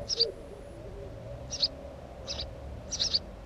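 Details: House sparrow at a nest uttering four short, high chirps at uneven intervals, some doubled, over faint low background noise.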